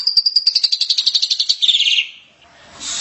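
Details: Vigorously singing Javan myna used to prompt silent birds: one long phrase of rapid clicking pulses that speeds into a buzzy rattle and slides downward, followed by a brief gap and a harsh note.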